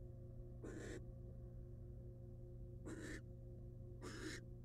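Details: Wild female barn owl at a nest box with eggs; three harsh, airy hisses, the first and second about two seconds apart, the last following soon after, over a persistent low hum.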